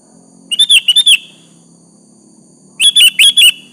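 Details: Sooty-headed bulbul in full song, calling out a rival so it replies: two loud phrases of five or six rapid, bubbly whistles, separated by a pause of over a second, with a faint low hum beneath.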